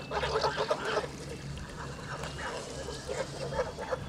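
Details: Male white Kholmogory goose, two months and 26 days old, on a farm on 20 August 2017, giving rapid nasal honks in a quick irregular series, several overlapping, with a faint steady high tone in the background.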